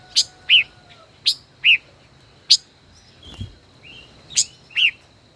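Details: High chips alternate with short bright slurred notes in pairs from a caged five-colored bird, kept over a year as a decoy, during a song duel.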